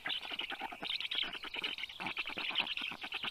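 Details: Begging of 29-day-old rescued black stork chicks during a feeding at a vet clinic in Tartu, Estonia, on a June afternoon; fast, harsh stuttering pulses in an unbroken stream.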